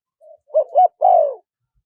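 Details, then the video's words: Spotted dove singing in the wild style with a small, high voice, used as a lure recording for wild doves: a soft lead-in note, two quick rounded coos, then a long, falling, slightly rough coo. "เสียงนกเขาใหญ่ คารมป่า (เสียงเล็ก) มีขัด มีหนุน คูอ่าง ใช้สำหรับเปิดต่อ ยั่วนกป่าเข้าร่วมเร็ว"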